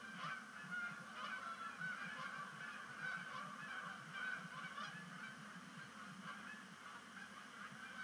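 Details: Canada geese arriving at Sapsucker Woods Pond for the season's first sunset splashdown, 5 October 2019; loud honks come in bursts, roughly two a second, thinning slightly toward the end over a low background hum.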